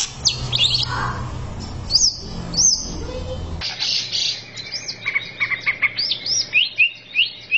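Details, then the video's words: Greater green leafbird training song for therapy: after a brief muffled patch with scattered whistles, a bright run of rapid looping whistles, chirps and sharp upslurs follows in quick pulses. "MASTERAN CUCAK IJO SANGAT MAHIR UNTUK TERAPI"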